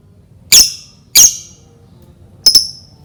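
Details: Lovebird calling, used as a lure to set other lovebirds singing: three sharp, high squeaky chirps, the last a quick double, separated by about a second of quiet.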